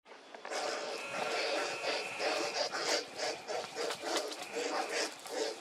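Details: Two young black vultures begging a parent for food in Lafayette County, Mississippi, on 18 January 2024, at noon on a cloudy, cold day; harsh, breathy hissing wheezes that run almost continuously, swelling into pulses about twice a second.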